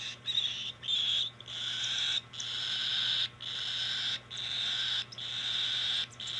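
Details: Cockatiel begging while being hand fed, 2025: loud harsh rasping bursts about half a second to a second long, repeated in a steady pulsing rhythm with short silent breaks, over a faint low hum.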